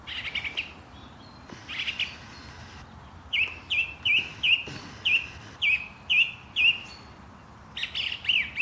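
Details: Morning bird chirping at Langley Park, Durham: a few scattered chirps, then a steady series of about nine sharp downslurred chirps roughly every half second, ending in quicker doubled notes.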